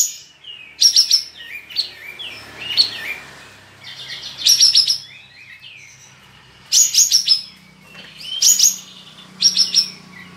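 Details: Caged Olive-winged Bulbul from Singkawang, West Kalimantan, entered in an online songbird contest, sings high chirpy bursts of sharp rising and falling notes in four or five clusters, with quiet gaps between them and a faint low hum beneath.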